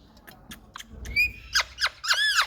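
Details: Indian rose-ringed parakeet giving short squeaky calls that build into a run of loud, harsh arched screeches near the end, with faint low room noise underneath.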